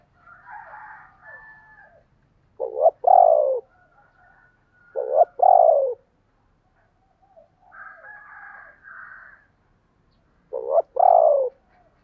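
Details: Spotted dove calling three times, each phrase a short note followed by a loud, low, mellow coo. Softer, higher, fluttering warbled sounds come between the phrases, with a faint low hum in the background.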